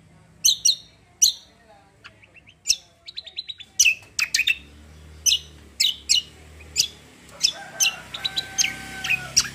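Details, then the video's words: Cucak in a roll tembak style song, clusters of bright, high chirps and short rattles spaced irregularly, quiet background hum. "CUCAK KOMBO KECIAL KOMBO ROLL TEMBAK GACOR COR"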